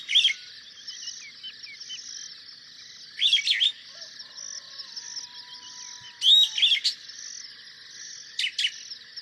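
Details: A Superb starling gives short, bright chattering bursts about every three seconds over a steady background chorus of other birds.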